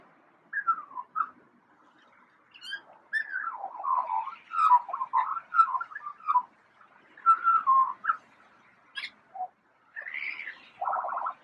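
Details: Eurasian magpie imitating siren sounds: bursts of wavering, rising and falling whistled tones, with short sweeping wails and a few sharp clicks between phrases, ending in a buzzy warble; no other sounds clear.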